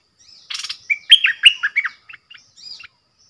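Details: Caged bulbul calling as a decoy, 13 April 2021: a scratchy burst, then a fast, rollicking run of clear warbled notes, ending in a few softer chips and a thin rising whistle.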